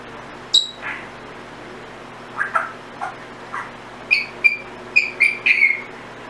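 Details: Pet Timneh African grey, a female, producing assorted random sounds: a sharp high chirp, soft rasping squawks, then a rapid run of bright, clipped whistled chirps gathering toward the end, with faint room hiss behind.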